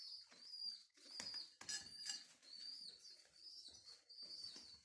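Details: Hand-fed homing pigeon squabs rescued from a renovated mosque tower beg with continuous high-pitched wheezy squeals, pulsing roughly once a second, over soft rustling and handling sounds in a small room.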